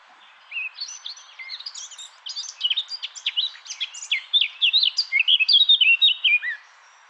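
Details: Eurasian blackcap song, easily confused with the blackbird; a fast warbling run of varied high chirps and twitters that starts quiet and grows much louder and more intense toward the final part, ending in clearer whistled notes.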